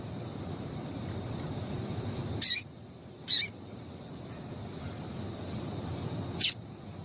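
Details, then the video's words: Calling female yellow-bellied seedeater, kept to stir males into song: three brief high piercing chirps spaced a second or more apart, with a constant low rumbling hum underneath. "Fêmea de Papa capim piadeira para Esquentar Papa capim"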